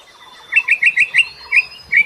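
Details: Lure bird calling to attract other birds: bright, sharp chirps repeated about every fifth of a second in a short run.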